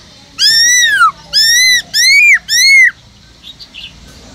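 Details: Caged Black-throated laughingthrush singing in the 'forest voice' style, used to stimulate other captive laughingthrushes to sing: four loud, arched, harmonic-rich whistles, each rising and then falling, about a second apart, followed by a few faint chirps.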